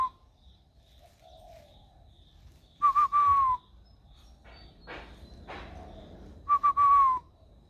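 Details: Spotted dove raised in captivity from a young age, with a very warm voice in the giọng thổ style, recorded 16 February 2020: two stuttered, falling cooing phrases several seconds apart amid soft faint background sounds.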